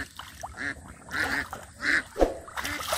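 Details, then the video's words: Ducks beside muddy village water during hand-fishing for catfish; a few scattered nasal quacks with arched harmonic shapes, separated by short pauses, alongside splashing and faint voices. "The Ducks are Making Beautiful Sound From The Side"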